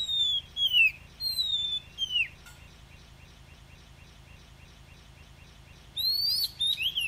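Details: Oriental magpie-robin singing in the forest style ('giọng rừng') with 'kéo thuốc lào' phrases: clear whistled notes, some sliding and some falling, in two bursts split by a four-second pause, over a low steady hum.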